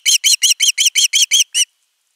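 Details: Begging osprey chick at camera nest 3 on 10 August 2021, calling long for fish: nine loud, clipped chirps in quick succession, each an arched whistle, then sudden quiet.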